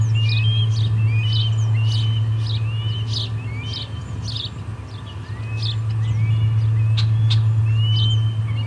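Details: Osprey at its Charlo nest on 23 August 2020, around the third fish delivery of the day: a rapid series of upslurred whistled chirps, roughly three per second, over a steady low hum.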